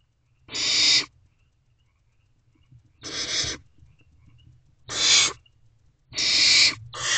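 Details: Barn owl owlets in their nest box at 9:12 pm, 21 May 2023, one handling a rodent while siblings watch; five harsh hisses at irregular intervals, the last two coming close together.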